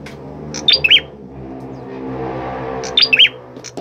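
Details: Orange-headed thrush singing actively, giving two brief bursts of sharp high whistled notes about two seconds apart over a steady low humming background.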